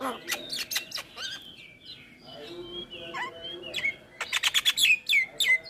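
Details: Javan myna, a very vocal bird with a full repertoire, in a busy, varied song of sharp whistles, harsh chatters and rising and falling slurred notes, mixing in mimicked phrases at a quick pace.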